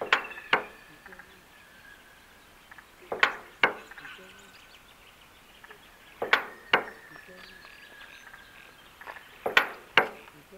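Male musk duck displaying: a pair of sharp, loud knocks about every three seconds, with thin, piercing whistles drawn out between them.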